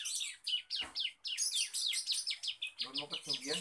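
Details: Young male Bar-winged prinia learning to sing, a dense run of high, sharp chirps and downslurred twitters repeated almost twice a second, with a man's voice briefly audible beneath near the end.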